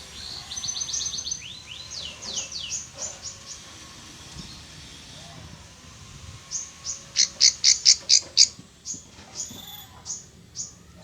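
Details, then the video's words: Plain prinia in a rice field, responding to a lure of wild birdsong, gives thin, high downslurred notes in quick series, then a loud burst of sharp, snapping notes about four per second. "burung ciwah ciblek sawah respon suara liaran wiceh"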